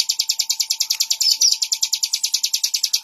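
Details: Bar-winged prinia (ciblek) repeating crisp, high chirps at a brisk, even pace, with a constant faint hum in the background.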